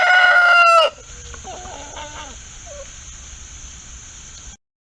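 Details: Chicken on a farm barnyard coop, with hens and roosters present, gives one loud, harmonic, strained scream lasting under a second, dropping slightly at the end, then fading to quiet background hum with faint soft clucks.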